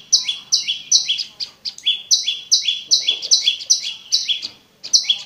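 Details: Prinia song, recorded clear for prompting a caged bird to sing: quick high-low chirp pairs with sharp starts, slightly uneven spacing and a short pause before the last notes.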